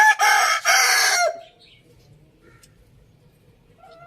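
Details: Rooster on a farm in a village giving a short, loud, harsh crow lasting just over a second, a rough harmonic burst with a brief dip and a falling end, then quiet background.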